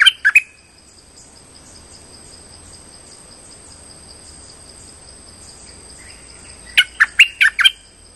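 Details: Streak-eared bulbul lure call used for trapping: a quick burst of three sharp chirps at the start, then near silence, then a run of five rapid clipped notes near the end, over a steady thin high tone.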